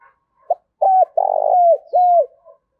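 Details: Spotted dove used as a captive decoy, calling in the morning to lure wild doves: one phrase of soft, low, hollow coos, a short note, then longer resonant coos ending with a falling tone, in an otherwise quiet setting.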